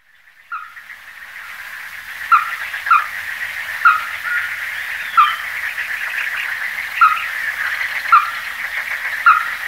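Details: Ruddy-breasted crake, Porzana fusca, giving short sharp clipped notes at irregular intervals of about a second, over a steady hiss of insects or background noise.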